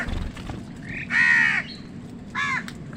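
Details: One long, harsh caw followed by a shorter one, from crows contesting food with wild birds, over a soft low rumble.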